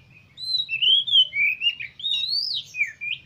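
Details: Kacer, the oriental magpie-robin, pours out long sliding whistles that climb and drop in pitch, joined by short chirps. The recording is played to stir other kacer into song and tail-spreading. A faint low hum runs beneath.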